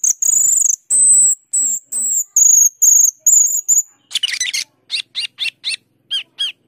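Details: Asian glossy starling (cucak keling) delivering a string of long, thin, very high whistles, then a harsh scratchy burst and a quick run of short, bright chirps.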